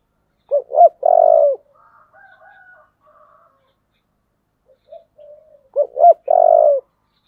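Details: Spotted dove with the 'thổ' voice, calling to urge a fight: two loud phrases of clipped double notes ending in a long, low, even coo, separated by quiet soft cooing and a brief silence.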